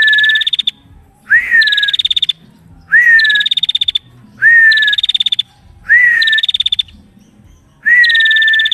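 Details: Female prinia, used as a training recording for cage birds, singing busily in close, dense bursts: a short rising whistle slides into a rapid, buzzy pulsed trill, with about six phrases spaced roughly every one and a half seconds against a quiet background.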